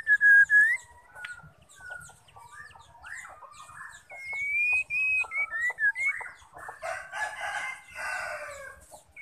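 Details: Female white-rumped shama call meant to provoke males into singing: a series of clear whistled notes, some rising and some falling, with short pauses, ending in a broad harsh rasping burst.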